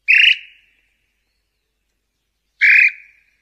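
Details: Whistled notes of a tataupa tinamou (nambu pé roxo), sung to attract male and female: two clear, slightly falling whistles separated by more than two seconds of silence.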